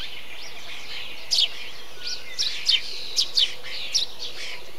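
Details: Eurasian tree sparrow among nesting bee-eaters: a burst of five or six high, slurred chirps, some in quick pairs, rising out of a steady background of murmuring colony calls.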